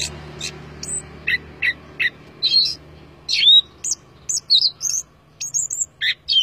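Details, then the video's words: Energetic gacor song of an Orange-headed thrush, meant as a master recording with abundant fill: sharp, clipped high notes spaced irregularly, mixed with short whistled slurs and brief flat tones. "Anis Kembang Gacoor Dor Mental Baja"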